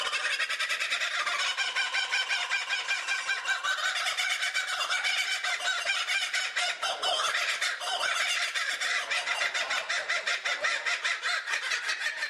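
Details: Kookaburra giving its human-like laugh, a continuous, thick stream of rapid cackling notes with no pauses, rich and harsh throughout.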